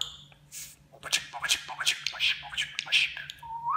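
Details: Pet budgerigar rattling off mimicked speech. Rapid clicky, buzzy syllables come in a fairly steady run, ending in a clean rising whistle, over a faint indoor hum.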